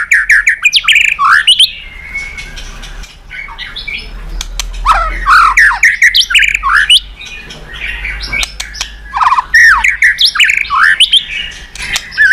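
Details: White-rumped shama song used as a lure to provoke other birds into singing: a varied, loud stream of whistles, sweeps and harsh squawky notes, with brief pauses and sharp clicks between phrases.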